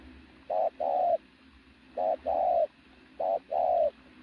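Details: Strongly built decoy pigeon cooing loudly: three well-spaced phrases, each a short coo then a drawn-out, gently falling coo, separated by quiet gaps of about a second.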